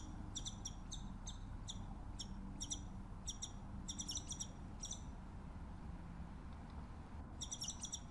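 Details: Scimitar-billed woodcreeper singing far off: rapid, even runs of high, thin chip notes, a pause, then another run, all over a loud low background rumble.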